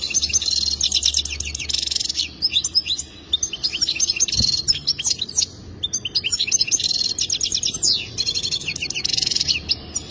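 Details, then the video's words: Goldfinch singing a long, rapid twittering song of high buzzy trills and tinkling notes, in bursts with brief pauses near four and eight seconds; a single low thump partway through, faint low hum beneath. "اجمل تغريد حسون رائع جدا"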